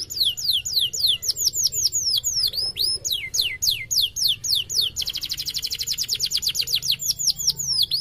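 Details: Canary lure song for a canary that has stopped singing: varied falling and forked whistled notes in quick succession, then a long fast buzzy trill, then more down-slurred whistles.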